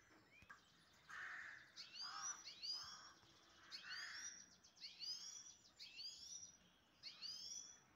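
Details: Pet grey-headed goldfinch in Istaravshan, giving a series of downslurred, high twittering notes in short bursts about once a second, with lower buzzy blurs beneath and faint room noise.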